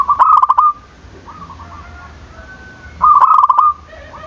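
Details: Lure calls of a lively zebra dove meant to set silent doves calling: two loud rolling trilled coo phrases about three seconds apart, with quieter softer coos in between.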